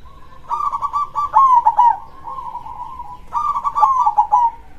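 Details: Local Indonesian zebra dove (perkutut) singing vigorously in the big-voiced krosing style: rolling, trilled low coos, each phrase about a second long, delivered in two bursts separated by a softer, sustained purring note.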